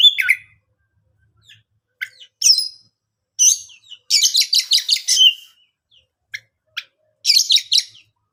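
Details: Oriental magpie-robin song meant to draw other birds into singing: short separated phrases of high chirps and whistles, then a dense burst of rapid rising and falling notes, with gaps of silence between phrases.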